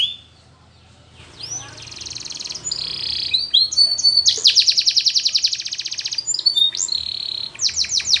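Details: Russian canary song used for training, opening quietly with soft notes before a loud rapid rattling trill lasting about two seconds and ending in sharp descending chips.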